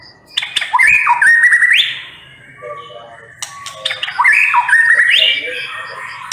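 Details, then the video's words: White-rumped shama (murai batu) delivering two similar bursts of rising, rolling whistled phrases with clicks, separated by a quieter gap with soft notes and a low background hum. "MURAI BATU NEMBAK PEDES"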